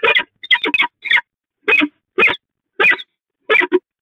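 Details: Peregrine falcons at the Catharinakerk during pair bonding on 19 October 2020; harsh, clipped chupping notes in short bursts of one to three, roughly every half second, against a silent background.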